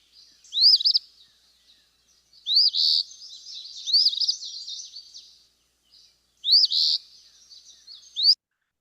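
Eastern Phoebe giving its burry, two-part fee-bee song, high and raspy, four phrases spaced a couple of seconds apart with quiet between.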